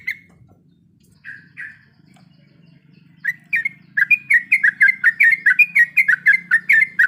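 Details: Female sooty-headed bulbul in breeding condition calling to the male: a few scattered chirps, then a quickening series of short, bouncing notes about two per second, with a steady low hum behind.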